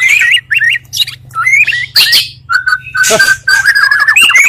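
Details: Lure song of Oriental magpie-robins, two voices mixed to trigger quick, spontaneous reactions; short whistled phrases broken by pauses, a harsh burst, a steady held whistle, then fast trills.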